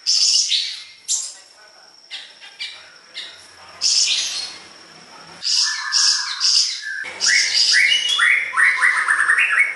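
A lively, varied song of high chirps, quick downward sweeps and buzzy trills, delivered in rapid bursts with short pauses between phrases.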